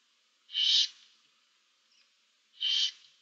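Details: Barn owl owlets in a nest box, 2024: two loud, harsh, hissing screeches about two seconds apart, each a steady noisy burst lasting around a third of a second.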